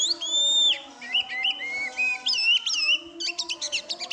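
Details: Oriental magpie-robin (kacer) singing in full voice: a long clear whistle, then wavering warbled notes and a fast stuttering trill of short bursts, with a low steady hum beneath.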